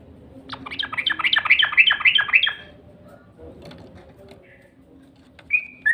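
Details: Yellow-vented bulbul lure call: a quick burst of about a dozen sharp, buzzy chirps in under two seconds, then a low murmur of background noise and two final short, clear notes.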